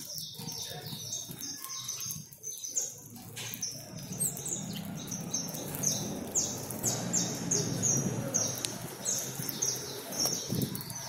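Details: More than 100 free saffron finches being fed in a backyard, singing together: a dense stream of short, high, overlapping chirps at about two per second, over a low background rumble.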